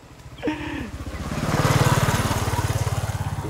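A motorcycle engine idles and revs with a brief voice, and no animal is heard.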